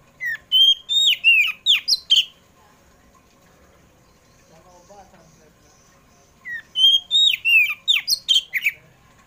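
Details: Oriental magpie-robin of the kacer poci type singing in the afternoon, used as a lure to make pet magpie-robins sing: two bursts of loud, clear whistled notes with rising and falling sweeps, about ten rapid phrases each, separated by a quiet pause with faint background sound.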